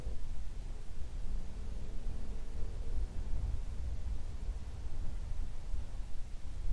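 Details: Gusty low rumble like wind buffeting a microphone over faint hiss, with no animal voices.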